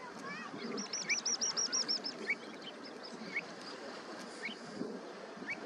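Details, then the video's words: Pied avocet chicks calling: a quick run of high, clipped piping notes near the start, then sharp rising chirps spaced about a second apart over a steady background hiss. "Pied Avocet, Avocetta (Recurvirostra avosetta) chicks"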